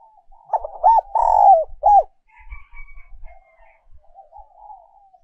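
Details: Decoy song of a spotted dove in the 'giọng còi' style, also known as 'giọng kim'. A broken opening coo leads into a long falling coo and a short hooked final note, followed by faint trailing sounds and low thumps.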